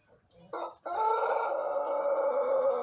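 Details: Young Pelung rooster in Indonesia, one month into learning to crow, filmed in the morning on an empty crop: a short rough note, then one long sustained, steady harmonic crow held to the end.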